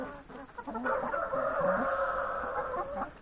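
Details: Hens and three roosters eating breakfast in a yard prior to forest grazing; rapid, uneven clucks build into a loud, sustained crow-like call that holds for about two seconds.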